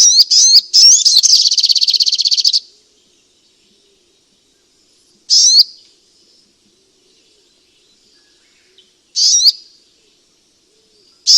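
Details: Sunbird lure call: hooked high notes run into a fast rattling trill of about two seconds, then isolated buzzy notes several seconds apart. Quiet background.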